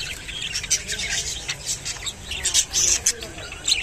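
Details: Budgerigar of the rainbow colour form, chirping while feeding on water spinach; quick, high scratchy warbles and squeaks run continuously with brief louder peaks.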